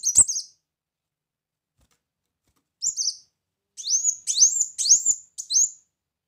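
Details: Lure recording of a brown-throated sunbird: a brief high chirp, a long silence, then a cluster of four or five sharply rising whistled notes repeated about twice per second.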